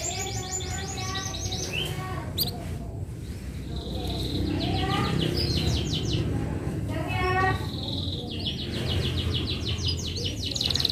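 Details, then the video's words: A canary delivers several bursts of rapid rolling trills and a few sweeping whistles, separated by short pauses, against constant low background noise. "Kenari mana yg tahan dengar kenari suara kenari ini"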